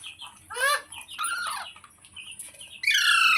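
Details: A pet ringneck parrot screeches twice in harsh arched bursts, falls quiet with faint chatter, then ends on a sustained, very loud shrill squawk.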